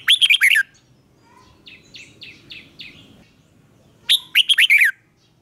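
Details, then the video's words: Red-whiskered bulbul trained for morning song in the 'chè' style: a sharp rapid cluster of loud whistled notes, a soft series of five quieter chips, then another loud rapid burst of slurred whistles. "Luyện chào mào hót sáng, QUÁ HAY - CHÉ KÍCH BỔI CĂNG ĐÉT"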